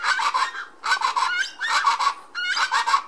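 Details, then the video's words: Yucatan chachalaca calling: loud, harsh, raspy cackling notes in rapid rhythmic bursts, with hoarse squawks between them, several short phrases repeated back to back. "Yucatecan Chachalaca"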